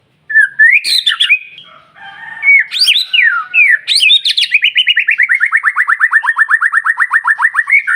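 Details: White-rumped shama singing in the morning to provoke other birds into song: loud, varied whistled phrases with sweeping slurs, then a long rapid run of sharp repeated notes, about five per second, slowly falling in pitch.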